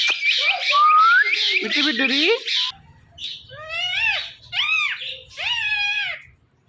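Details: Pet ringneck parrot indoors, watching itself in a phone and mimicking meowing: music and chatter at first, then three loud, arching, harsh calls in a row with a low hum beneath.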